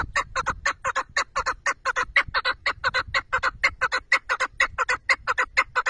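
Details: Chukar partridge giving a fast, steady chuck-chuck call, loud clucking notes about two per second in paired rhythm, continuing without pause throughout.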